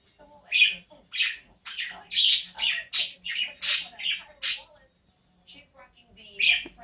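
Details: Ace, a 6-month-old male budgerigar, gives a run of bright, scratchy chirps and warbles in quick succession, very chirpy in the morning after finally finding his chirp, June 2019.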